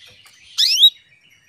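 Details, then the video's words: Female canary calling a male to arouse his breeding urge and make him sing: one loud, high note that sweeps upward and then glides down, with bright overtones, lasting about a third of a second over a quiet background. "PANCINGAN KENARI BETINA MEMANGGIL JANTAN"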